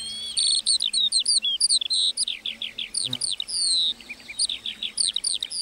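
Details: Lark singing in a meadow: a fast, continuous torrent of high chirps, slurred whistles and buzzy trills, notes tumbling rapidly with barely a pause.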